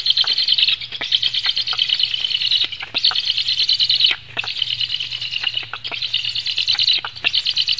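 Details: Latvian black storks during a feeding, 17 July 2015, 16:57: long bursts of shrill, rapidly pulsing chirps, broken by brief gaps roughly every one to three seconds, with a soft low hum underneath.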